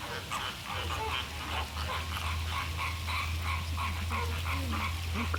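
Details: Flamingos gathered for their courtship ritual and mating dance, Caribbean: a continuous gabble of nasal, goose-like honks repeats about three times a second over a low, steady hum.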